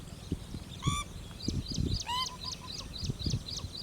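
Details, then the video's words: A pheasant-tailed jacana foraging for food in a lake gives two nasal, mewing calls about a second apart, over steady high chirping from other small birds and low rumbling noise. "Pheasant tailed Jacana-Call"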